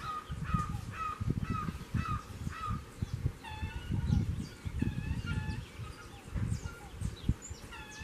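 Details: A red-legged seriema sings near a house door, giving a loud series of yelping, crow-like notes in quick descending runs, over a steady low rumble of wind or handling noise.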